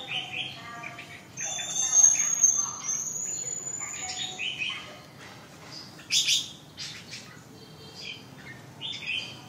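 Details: Red-whiskered bulbul song with a long thin high whistle early on, then varied chirped and warbled notes, a sharp loud note near six seconds, light background hum.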